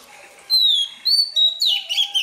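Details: Oriental magpie-robin, wild-caught, practising its song each morning. Three clear whistled notes, each held briefly, lead into a rich, tumbling warble with sharp, bright accents.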